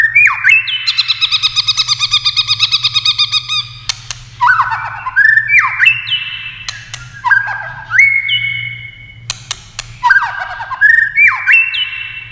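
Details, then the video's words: White-rumped shama singing in competition: a rapid pulsing run of repeated notes, then a series of short drooping whistled phrases punctuated by sharp clicks. "kích chòe lửa hót đấu nhiều giọng"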